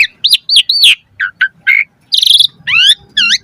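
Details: Asian pied starling in full varied song, used as a lure to prompt singing: looping whistled notes, short chirps, and a harsh buzzy burst, then rising slurred whistles, over faint low background noise.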